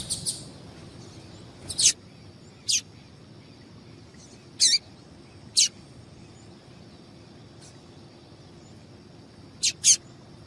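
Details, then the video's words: Sparse, isolated high chips from a female double-collared seedeater, used to excite males for singing contests, scattered singly and in pairs over about ten seconds with long quiet gaps and a soft constant hiss. "Piado de Fêmea de Papa capim esquentar"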